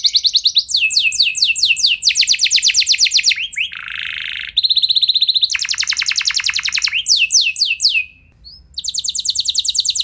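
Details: Varied canary song used to excite other canaries to sing long rolls: rapid trills alternate with a harsh buzzy section and a steady whistled tone, followed by a short pause and another fast trill.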